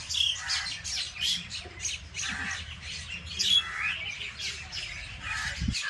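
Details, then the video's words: Birds in a village chirp and squawk nonstop, with bright, scratchy, high-pitched notes tumbling over one another from many callers against a low hum. "bird chirping sound"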